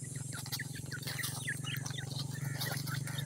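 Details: Several grey francolin (teetar) chicks, around ten days old, peep rapidly while being fed. The short, high chirps come about four per second over a loud steady low hum.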